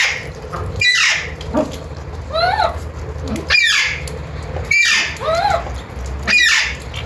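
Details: Alexandrine parakeet (Psittacula eupatria) giving loud harsh squawks about every one and a half seconds, alternating with softer wavering, warbled notes, over a constant low hum.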